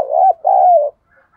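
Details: Two mellow coos from a spotted dove decoy in thúc gù style, the first steady, the second longer and gently falling, with a brief dip between them. Silence after.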